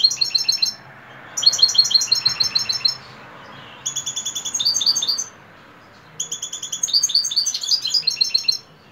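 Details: European goldfinch singing at dusk, four bursts of rapid, tinkling, buzzy-edged twitters, each phrase one to two seconds with brief silences between; no other sounds stand out.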